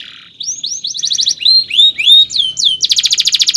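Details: Tutor song of a canary for young birds, long and chirpy: a run of rising whistled slurs quickening into downward sweeps, ending in a loud, very fast pulsing trill of identical notes.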